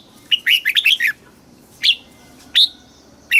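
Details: Thai caged-bird red-whiskered bulbul singing in the southern master style, used to stimulate caged birds and train chicks: a fast burst of about seven warbling notes, then three separate clear chirps spaced widely apart.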